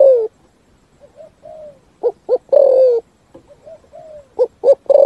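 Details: A spotted dove coos in the 'thúc gù' style. Quieter soft coos and longer falling notes are interspersed with louder short double coos and one strong drawn-out coo.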